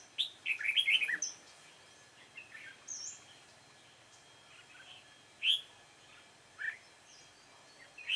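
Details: Dark-bibbed red-whiskered bulbul heard while trapping, 28 February 2017: a quick cluster of warbled, chirpy notes opens the recording, followed by sparse single sharp chirps spaced a second or more apart over faint background noise.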